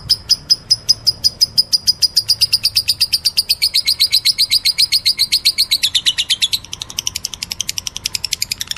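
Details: Lovebird giving what is described as meloloh calling: a fast run of sharp, high chirps, about six a second, sliding gradually lower in pitch, then turning quicker and softer near the end.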